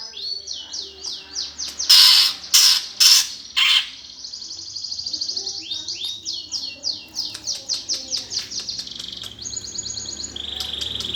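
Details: Greater green leafbird in 'gereja tarung' fighting-song style, used to provoke contest birds: rapid series of descending high whistled sweeps, broken by three loud harsh rasping bursts, then more quick chirps and a sustained high trill.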